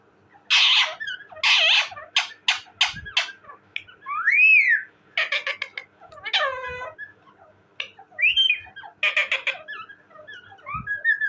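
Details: Talking parrot alternating loud rasping bursts with arching whistled notes and wavering harmonic calls, a busy, varied run of sounds.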